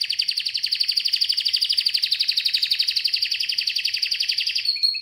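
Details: One long, steady, rapidly pulsed canary trill, evenly repeated throughout and slowly falling in pitch, closing with a brief whistled note.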